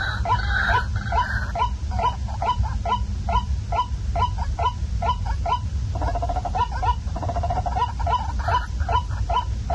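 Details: Night lure recording of a waterhen: rapid series of short upswept calls, roughly two or more per second, interrupted by stuttering rattles, over heavy low-frequency hum.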